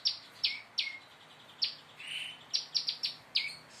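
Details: Prinia learning to sing: loud, high clipped notes sliding downward, spaced about half a second apart, with a brief buzzy smear in the middle and a quick cluster of four chirps later.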